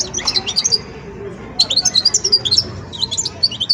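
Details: Young European goldfinch at the song-sorting stage of learning: bright, high tinkling twitters in quick bursts, a short first phrase, a pause, then a longer run of rapid chirps and trills over faint background hum.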